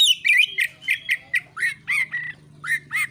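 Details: Oriental magpie-robin singing a fighting song meant to provoke rival birds into singing; loud, varied whistled and squawky phrases at high pitch, repeated in short bursts roughly every third of a second, with a low steady hum beneath.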